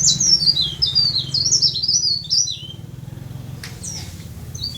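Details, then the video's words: Leaf warbler, tame and singing freely, pours out a quick chain of high, sharp, descending slurred notes for about two and a half seconds. One isolated chirp comes later, and a low hum sits underneath. "Burung Blereng/Tralis/Cikrak Daun/Pare-Pare/Sirlis"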